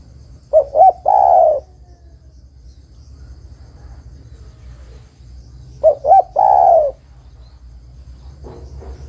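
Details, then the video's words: A female spotted dove calls to the male with two phrases spaced about five seconds apart, each of two quick coos and a long burry coo, over a constant low hum and a faint high whine. "TEKUKUR BETINA MEMANGGIL JANTAN"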